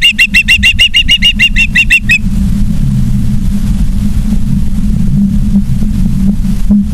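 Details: Osprey at a nest in Charlo, Montana, on 3 September 2023 in the evening: about two seconds of quick, high, repeated whistled chirps, then only a low droning rumble for the rest.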